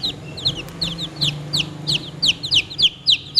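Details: Chicks calling with repeated high, downward-slurred peeps, about three each second, growing louder and more regular toward the end over a faint low hum.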